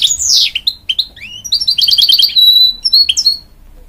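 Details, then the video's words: Hybrid goldfinch, a canary and goldfinch cross, singing to encourage young chicks: loud, varied high twittering with sharp downslurred notes, quick chattering runs and a sustained whistled note, the phrase ending in a bright rising chirp. "A Hybrid Goldfinch Sings To Encourage Young Chicks"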